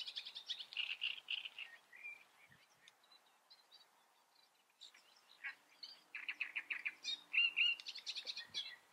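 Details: Great reed warbler in full song: bursts of loud harsh chattering notes, a brief pause with scattered softer calls, then renewed croaking, grating phrases repeated rapidly.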